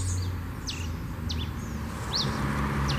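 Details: Fluted 'canto 21 flauteado' song of a red pileated finch in nature: clear, high whistled notes, some slurring down and others rising and falling, given about twice a second over a low hum of background noise.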